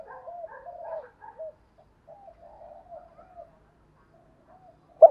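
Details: Spotted dove giving urging gù thúc coos, used to provoke wild doves. A quick run of low, throaty, rolling coo notes is followed by softer, spaced, fading coos and a sharp knock at the close.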